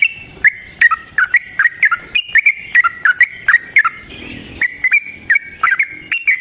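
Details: Yellow-vented bulbul giving a long fighting song, recorded as a lure and master for training: evenly spaced, bright, bubbling whistled phrases with crisp clicks, broken by a brief noisy gap.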